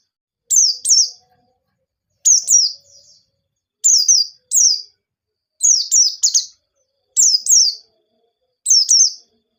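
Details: A white-eye sings as a lure to set other birds singing, giving high, sweet twittered phrases of paired downslurred notes. The bursts repeat roughly every one and a half seconds against a quiet background.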